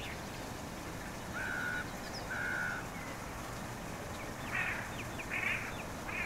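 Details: Black-headed gull calling, recorded with a RODE VideoMicro: two flat, harsh squawks followed by three shorter, rougher, rising calls, with faint chirps from other birds and a soft background hiss.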